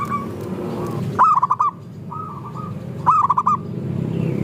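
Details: Local zebra doves singing in a group to prompt other doves to sing: two loud stuttering cooing phrases about two seconds apart, a softer cooing phrase between them, and a low background rumble.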